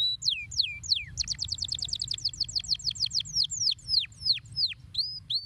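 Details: Canary singing to stimulate other canaries: a few drawn-out falling whistles lead into a fast rolling trill of about a dozen notes, slowing into separate downward-sweeping notes and short rising whistles; quiet low hum beneath.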